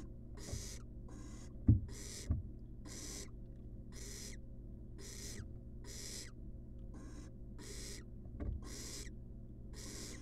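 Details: Wild barn owl nestling screeching in harsh hissy bursts about once a second while fed a rat in a monitored nest box, with several knocks and thumps and a low hum.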